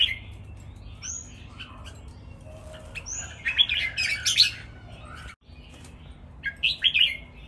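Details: Caged red-whiskered bulbuls with soft scattered chirps and whistles, then a loud burst of chattering whistled notes midway and another near the end, and a short break in the sound.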